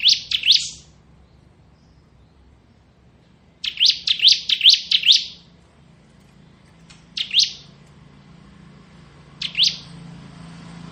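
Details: Bar-winged prinia, crystal type, singing ngebren: short high chirps, then a run of about six rapid sharp notes, followed by two isolated single chirps, over a soft steady background hum.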